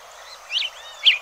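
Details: Hepatic tanager (Piranga flava) in Bosque de los Constituyentes, Rosario, Argentina, giving two short, slightly burry chip notes about half a second apart, high-pitched, over a faint background hiss.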